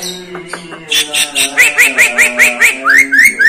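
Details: Jalak kebo, the Javan myna, which copies other birds' voices and human speech. Low nasal notes give way to a brisk series of rising, upslurred whistled chirps, about two per second.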